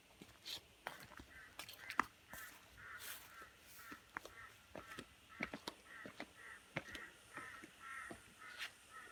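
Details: Several birds in early morning at Khajiar, Dalhousie, call in short, harsh, repeated notes, about two each second, over scattered clicks and knocks.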